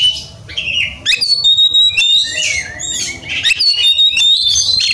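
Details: Agitated Oriental magpie-robin looking for a fighting rival, pouring out a fast varied song of sharp whistled notes, quick upslurs and rasping chatter, with several loud strophes crowded together.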